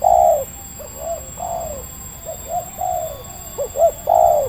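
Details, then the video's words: Local wild red turtle dove in Indonesia, quickly lured by a decoy during trapping, giving a medium-pitched series of soft cooing notes, some long and some short, grouped unevenly over a steady electronic hum. "SUARA MENENGAH"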